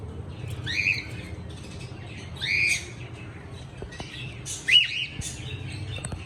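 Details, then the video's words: Cockatiel chirping: three loud rising whistled chirps at roughly two-second intervals, the last one sharper and more abrupt, with quiet background noise between them. "Cocktail singing and chirping sounds // Beautiful cocktail sounds"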